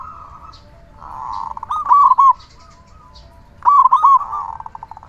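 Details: Big-voiced local zebra dove singing as bait to set other zebra doves singing. A soft purring trill leads into two bright staccato coo phrases almost two seconds apart.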